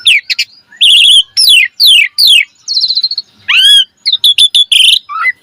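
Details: Asian pied starling giving gacor full-variation song: quick downslurred whistles, a fast buzzy trill, a loud upswept squeal and a rapid set of sharp chipped notes ending in a falling whistle.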